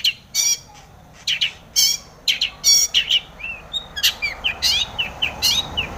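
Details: Long-tailed shrike singing, meant to spur other shrikes to sing; scattered harsh chips and squawky bursts mixed with thin sliding whistles, irregular phrasing with short gaps, faint hiss beneath.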